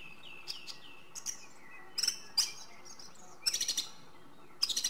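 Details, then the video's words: Song thrush pouring out varied song: sweet whistled notes, then a sharp phrase doubled, then a rapid stuttering burst of high notes repeated several times. "Drozd zpěvný - The song thrush: Zpěv/Singing"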